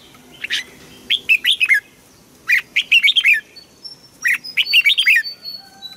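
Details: Asian bird singing in Thailand: three bright, clear phrases of quick whistled notes sweeping down and up, each phrase about a second long and separated by short pauses, with a quiet background.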